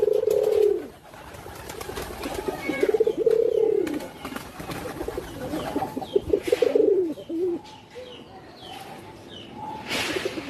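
A pigeon gives low, rolling, throaty coos that swell and fade in bursts every two or three seconds, with faint high chirps and rustling behind.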